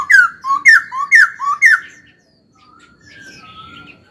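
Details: Laughingthrush song from a caged bird in training: four loud, evenly spaced slurred whistled notes about every half second, followed by quieter soft whistles trailing off.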